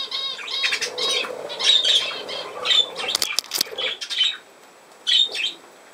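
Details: Budgerigar warbling in busy bursts of scratchy chirps and squawks, easing into a short pause before one last brief flurry of chatter.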